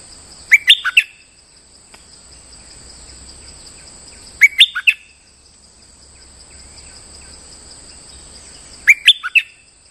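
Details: Moulting bulbul singing lure song: three short bursts of rapid, rich whistled notes, one roughly every four seconds, with quiet gaps between and a steady high-pitched electronic tone throughout.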